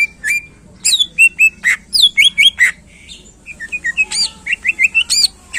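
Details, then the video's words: Greater green leafbird, a contest-type songbird singing in full to stir other contest birds: rapid mix of sharp chirps and clear whistled notes near mid-high pitch, bursts of short bright phrases with brief pauses. "Cucak Ijo Gacor Ampuh Menaikkan Emosi Burung Lomba"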